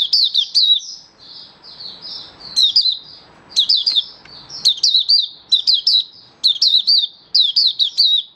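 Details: A Malaysian oriental white-eye in slightly down form sings happily on 27 February 2023: a rapid, high, twittering song of thin chirps and trills in quick bursts, with brief pauses between phrases.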